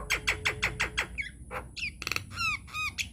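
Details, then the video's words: Nias hill myna lure song for provoking other mynas: six quick descending whistled notes, then a brief harsh burst and several ringing, bent whistles, over faint music. "PANCINGAN / MASTERAN JALAK NIAS GACOR, TEMBAKAN DAHSYAT 🔥 |INDIAN MYNAH BIRD CALL"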